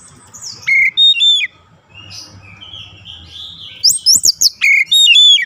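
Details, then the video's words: Oriental magpie-robin singing in a daily training recording meant to build a long rolling song: clear whistled phrases with sharp rising and falling notes, a quiet gap, then a rapid run of high chirps and slurred whistles. "KACER CEPAT NGEROLL PANJANG"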